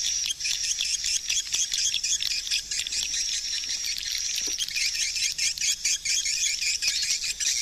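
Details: Hundreds of swiftlets wheel around a swiftlet house, a thick, continuous high-pitched chorus of chirps and twitters with occasional sharp clicks.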